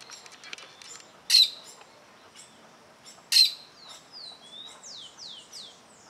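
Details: Plain parakeet watching an observer who is very close to its nest; two loud, sharp, shrill bursts about two seconds apart, followed by a run of thin, downslurred high whistles.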